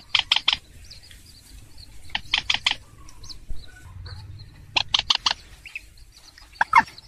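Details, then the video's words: 'Trích ré' lure call of a purple swamphen for trapping: groups of three or four harsh, clipped squawks repeated every two to three seconds, with faint nasal notes and a low rumble between. "tiếng trích ré quốc biển bản f7 rất hiệu quả"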